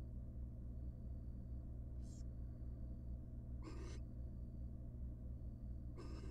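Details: Wild barn owl at its nest box as the male brings an enormous rat on the first night after the first chick hatched; three sparse, rasping hisses separated by long pauses over a steady hum.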